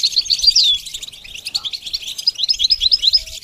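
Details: Goldfinch song for training a bird to sing: a rapid, dense twittering of high tinkling notes with quick rising and falling slurs, running without pause for several seconds.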